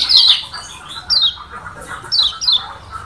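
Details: Lombok yellow white-eye, the kecial kuning of Lombok, giving short bright descending chirps, about four separated bursts in three seconds, with a faint lower chatter underneath.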